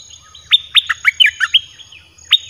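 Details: Red-whiskered bulbul kept in a cage singing to attract wild birds: a rapid run of about eight bright, whistled, bouncing notes, then a pause and one more sharp note.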